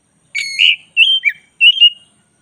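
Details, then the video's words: Black-breasted oriental magpie-robin in full song. Three rich whistled phrases, each a mellow slurred note with small dips, come roughly every half second in a quiet setting. "masteran kacer dada hitam GACOR"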